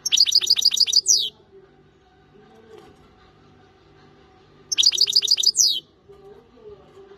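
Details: Parva European goldfinch in song: two bursts of fast, evenly repeated tinkling notes, about seven per burst, each finishing with a buzzy downward slur. Quiet pauses separate the bursts.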